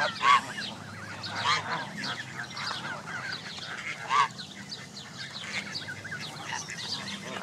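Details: Canada goose families and goslings crowded together at a park lake on May 23, 2014. Three louder, clear calls punctuate the clip at irregular intervals over a steady chatter of many young and adult birds.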